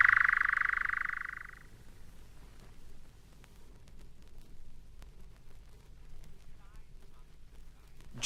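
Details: European nightjar, a scarce summer visitor, churring at dusk in June in an English broadleaved wood: a dense, mechanical reeling trill of very rapid notes that breaks off after under two seconds, with faint background hiss.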